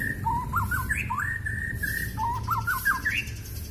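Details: White-rumped shama with a very long tail in full gacor song, mutah isian filler style: quick looping warbled phrases with upward flicks, repeated twice in matching runs over a steady low rumble.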